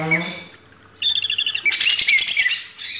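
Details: Caged greater green leafbird recorded as a master track for training cage birds: a soft, quiet opening, then a sudden burst of rapid, high, buzzy trilling and sharp chattering notes.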